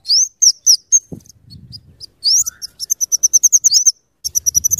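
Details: Scarlet-headed flowerpecker, kept for its rapid chattering used to lure and tutor birds: high thin upslurred whistles followed by a fast run of sharp clicking chips, then another brisk burst.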